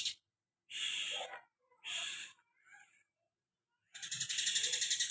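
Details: Cucak kinoi in 'tembakan greja' style: two long harsh high bursts about a second apart, a few faint scratchy notes, a pause, then a rapid rattling trill of tight repeated notes.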